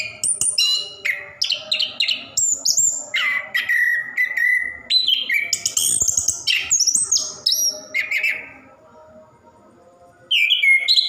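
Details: Caged Orange-headed thrush pouring out 'ngerol' song used as a singing prompt for quiet birds; rapid varied whistles and buzzy notes for about eight seconds, a short near-silent gap, then singing resumes.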